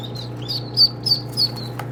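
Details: Duckling peeps: a few clear, high, drawn-out cheeps rising and falling, with a soft background hum and a brief rustle at the end.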